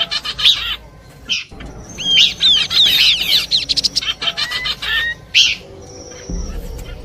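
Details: Horsfield's babbler song compiled for luring birds: chirp bursts followed by a fast cascade of curved whistled notes, a couple of drawn whistles, and a faint sustained high tone near the end.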